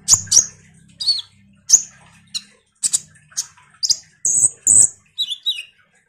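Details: Energetic common iora song used to lure responses from kolibri ninja birds: sharp chips and short whistled slurs, then two long harsh buzzy high notes and falling twittered notes.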